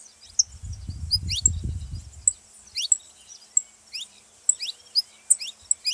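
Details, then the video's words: Saffron finch song meant to warm up a silent canary: spaced single high, falling chirps roughly every half second, with low rumbling handling noise during the first two seconds. "canário da terra pra foguea seu canário frio"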